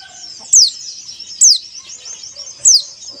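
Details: White-eye sound used as a lure to get caged white-eyes singing: sharp, very high descending whistled notes repeated about once a second over a steady high background twitter.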